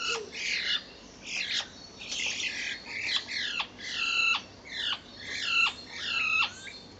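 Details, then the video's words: Two common starlings either fighting or mating, recorded on 10 April 2011: harsh, rasping squawks rich in overtones, given in irregular bursts roughly once a second, several notes ending in a quick downward slide. "Starlings Fighting or Mating"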